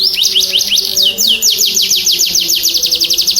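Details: Energetic gacor canary song aimed at coaxing stuck, young or stressed canaries into singing: quick repeated high downward-sweeping notes forming rapid rolling trills that speed up toward the end.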